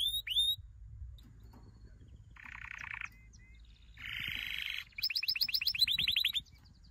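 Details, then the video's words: Domestic canary training song: rapid buzzy trills and rolled tours, pulsed notes repeated in quick series, bright upslurred whistles and a fast descending chatter near the end, over a faint low background hum. "Your canary will NEVER STOP SINGING With this training song"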